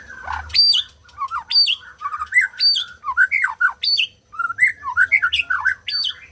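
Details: Fast, rich white-rumped shama song: bright whistles and slurred notes alternate with sharp high squeaks in a rapid, unbroken string of phrases.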